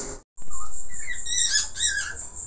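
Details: Budgerigar of the Falk type, noted as a lively singer with many varied phrases. After a brief break, high, buzzy warbled notes tumble together in a rapid squeaky stream.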